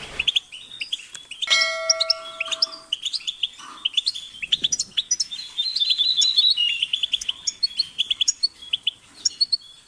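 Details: European goldfinch chirping: dense, high twittering of quick bright notes and short buzzy trills, with a brief steady tonal sound with harmonics near the second second.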